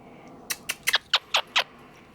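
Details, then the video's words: Pet male Quaker parrot, a talking and laughing mimic, producing six short, sharp clicking or smacking notes spaced roughly every fifth of a second, while its owner asks for kisses. "Quaker Parrot Talking and Laughing"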